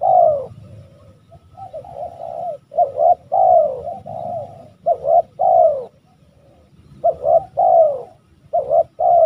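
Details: Old spotted dove with a deep 'basrok' voice, cooing: mellow, hollow coos in short uneven groups, some notes dipping slightly, separated by brief pauses, with a faint low rumble underneath.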